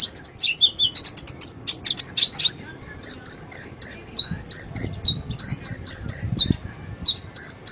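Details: Konin, or brown-throated sunbird, gives masteran song for training cage birds: slurred high squeaky notes at first, then a regular series of short, piercing whistled chips.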